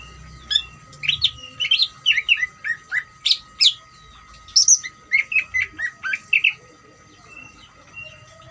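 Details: Greater green leafbird giving its trilling ngeriwik song, used to provoke other leafbirds into singing eagerly; quick sequence of varied chirped and whistled notes, some rising, some dropping, for about six seconds, over a steady low electrical hum.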